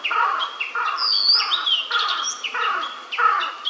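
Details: Immature blue-and-white flycatcher, filmed while feeding, gives loud, clear phrases of stacked, buzzy notes repeated about every half second, with a higher whistled slur between them.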